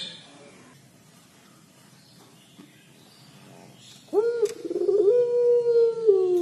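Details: After near silence, a puter pelung collared dove breaks into a 'crying' call: a sharp rising onset leading into a long sustained coo that bends down at the end.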